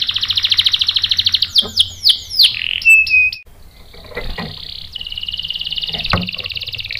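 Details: Canary singing as a provoking lure: a fast pulsed roll, then swooping downslurred whistles and short clear notes, followed by a quieter buzzy trill.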